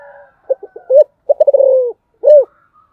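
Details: Spotted dove, 'giọng thổ' song style: a faint hum, clipped stuttered notes and a rising-falling coo, a long rolling trill sliding lower, then one loud arched coo.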